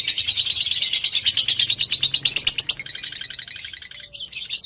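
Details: Fighter lovebird lure song meant to set another lovebird singing: rapid high rattling chatter for about three seconds over a faint low hum, then breaking into scattered squeaky notes.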